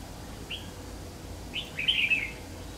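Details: Red-whiskered bulbul, Má Lỡ type, at a trap on 3 September 2019. A lone short whistle, then a clear, loud tumbling phrase of rich, slurred warbling notes against a quiet background.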